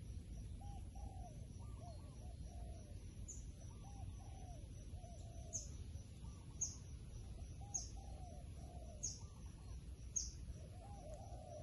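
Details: Wild pigeon cooing in repeated low, hooked phrases about every second, while sharp high chirps from another bird sound at regular intervals, all over a low background roar.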